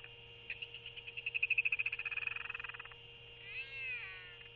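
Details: Royal albatross at the nest around dusk, 21 February, chick in post-guard stage fed dinner by its father: a fast run of about twenty high chittering pulses, then a short wavering nasal note, over a steady electrical hum.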